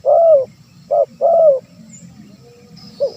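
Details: Spotted dove call used to attract wild doves: two drawn-out, falling coos framing a short clipped note, then a quiet pause before one more brief note.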